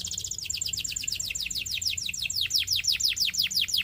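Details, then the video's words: Belgian singing canary pouring out a steady series of rapid downslurred whistled notes, repeated about three times per second, gradually slowing and spreading wider toward the end. "A Special Canary to Seduce All The Canaries - The Belgian Singing Canary"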